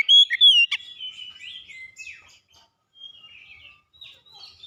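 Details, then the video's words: Oriental magpie-robin (kacer) song opening with loud, clear whistled notes around the first second, including a sharp vertical note, then fading into softer, scattered whistles and twitters at a low level. "kicauan ampuh mempercepat pemulihan Kacer macet bunyi langsung gacor"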